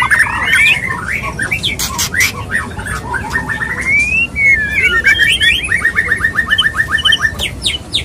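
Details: Courting male white-rumped shama singing to a female: varied whistles and harsh notes, then a long rising slurred whistle, followed by a fast rattling series of repeated short notes near the end.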